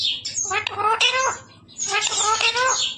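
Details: Human-like speech from a pet parrot: two voiced phrases about a second each, with clear layered tones and clipped consonant-like breaks, separated by a short gap. A faint low hum sits underneath.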